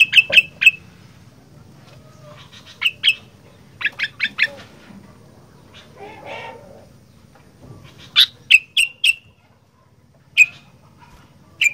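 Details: Sooty-headed bulbul, 'gacor fighter' style: bursts of bright clipped chirps in runs of three to five, pausing between runs, with a low background hum and a brief murmur of other sound mid-way.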